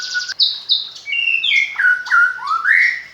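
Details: Captive magpie-robin, hand-reared from a fledgling, singing fluent mimicked fill: a high buzzy note, then a cascade of clear whistles stepping down and sliding upward at the end.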